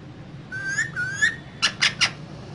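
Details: Two green parrots kept in a cage: two rising whistles, then three short bright chirps, with a low hum beneath.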